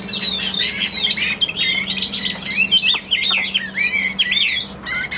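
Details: Dense, fast song of a caged Chinese hwamei of the Tam Hoang type, a calm bird with a good steady voice: tumbling bright whistles and twisting slurred notes with almost no pauses.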